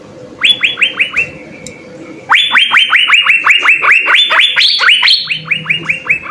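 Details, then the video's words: Asian fairy-bluebird giving energetic full song for songbird tutoring; two bursts of clear, rising-then-flat whistles repeated quickly, the first short and softer, then a pause and a louder, longer run over soft background noise. "Hargacor suara 6 CUCAK BIRU GACOR full isian SI BURUNG SURGA"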